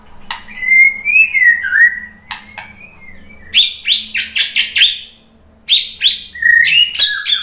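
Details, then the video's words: White-rumped shama, likely a kept bird, singing in reply to a played lure recording: sweet slurred whistles around mid pitch, then rapid bursts of sharp, rising and falling notes in quick succession, with short pauses between phrases. "MURAI BATU jadi kepancing NYAUT ikut GACOR ¦ PANCINGAN MURAI ¦ SHAMA BIRD"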